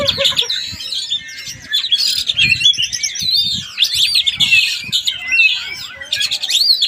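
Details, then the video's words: Oriental magpie-robin from Palembang pouring out dense, high whistled phrases, rapid sweeps and trills, loud and nearly unbroken, with faint clicks and voices underneath. "MAEN ABLAK KACER BALOTELLI"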